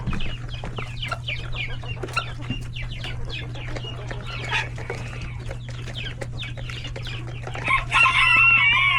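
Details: Busy coop with many chicks, hens and roosters at lunchtime: rapid thin falling peeps repeat several times a second, then a loud drawn-out harmonic squawk near the end, over a steady low hum.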